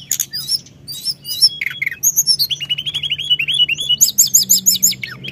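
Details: Rolling song of a Sunda whistling thrush, played to stir up other birds: sharp high notes, then quick descending slurred whistles repeated about three times a second, ending in a fast run of bright chips over steady low hum.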